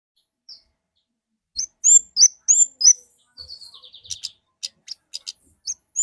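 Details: Orange-headed thrush from the forest singing a series of loud upslurred whistles, followed by a buzzy trill and spaced sharp high notes.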